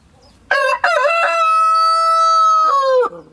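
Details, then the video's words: Village rooster gives a full crow: stuttering opening syllables, a long sustained bright note held for over a second, then a falling drawn-out ending. "Hen Hustle & Rooster Drama – Sounds of Village"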